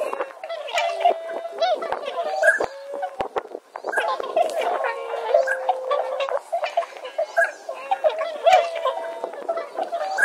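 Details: A flock of swans in Saitama, Japan, keeps up a busy chorus. Overlapping honks, some drawn out and level, others short and clipped, continue almost without pause.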